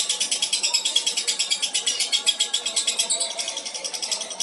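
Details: Long-duration ngekek from an albino contest lovebird, a continuous grating high-pitched chatter built from quick pulses, evenly sustained across the whole stretch and softening slightly toward the finish.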